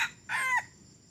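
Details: Red junglefowl, a three-week crower brought on a decoy-trapping trip. The raspy tail of one burst is followed by a strained, downward-bending final crow note, then quiet.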